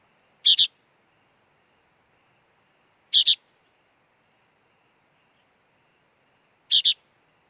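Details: Sooty-headed bulbul chick giving harsh, buzzy double notes, each pair short and sharp, repeated three times about every three seconds over a faint steady high background tone.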